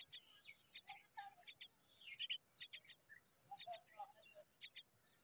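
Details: Hungry Common myna chicks waiting for their mother give harsh, raspy begging calls in quick pairs and bursts, mixed with a few softer low notes.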